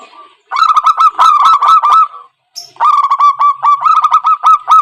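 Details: Zebra dove call used as a trapping lure, loud and busy: two long runs of fast, hooked cooing notes rattling on with barely a gap between them.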